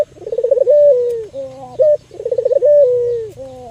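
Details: Two full coo phrases from a local albino Barbary dove used to lure and stimulate other doves. Each is a purring, fluttering roll, then a sustained falling tone, then a short two-pitched note.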